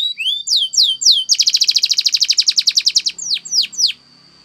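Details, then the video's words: Spanish Timbrado canary song used for training, opening with a few upward whistled sweeps, then a rapid even trill of ringing notes, ending with three falling chirps. "Many canaries join in singing after listening to this song"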